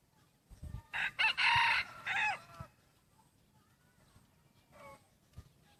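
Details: A half red junglefowl hybrid cock, second generation, molting black and red plumage, with a slightly changing voice, gives one crow: short stuttered start, long hoarse note, then a downward-bending final note. Soft distant calls afterward.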